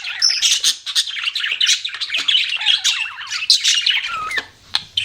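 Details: Budgerigars chatter with scratchy squawks and twittering chirps, a brief lull near the end, then a loud burst of calls returns.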